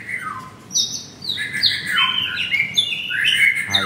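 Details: Caged white-rumped shama at a Jakarta bird shop singing in an agitated, harsher manner, mixing high whistles with buzzy, rough-edged phrases that cascade downward.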